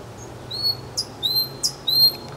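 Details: Nightingale singing in Kuzminki forest park, Moscow: sparse high thin whistles held level, a few short sliding notes between, with a low steady hum underneath.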